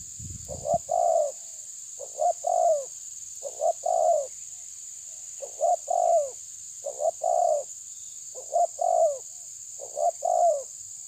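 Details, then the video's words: Spotted dove challenging a rival with a long run of coos: seven or so similar phrases of a quick pair of notes and a falling hoot, evenly spaced about every one and a half seconds, over a continuous high hiss. "Terkukur menekan lawan bikin emosi"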